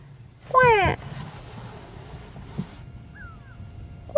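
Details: A Grey go-away-bird in the African bush near Djuma and Arathusa, in the afternoon toward sunset, gives a single loud, nasal, drawn-out "gwaay" ("go away") that wavers and falls slightly, a call aimed at walkers and lions, then quiet with a faint distant whistle.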